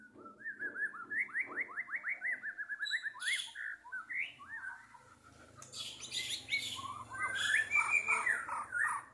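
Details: White-rumped shama in full song, 2023, songbird competition setting: a fast series of upslurred whistles, then buzzy high bursts and a busy warbled passage over a low steady hum.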